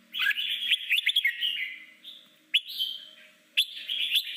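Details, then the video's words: Red-whiskered bulbul training song in forest style for newly caught birds: a rich warbled phrase, then two rising whistled notes, each followed by a sustained bright trailing tone. "Chim chào mào hót giọng rừng luyện 15 phút mỗi ngày để chào mào bổi hót đấu nhanh nhất"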